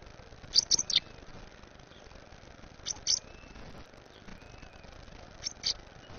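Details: An American robin nestling being fed at the nest gives high, thin, squeaky begging notes in three short bursts about every two and a half seconds, over quiet background hiss.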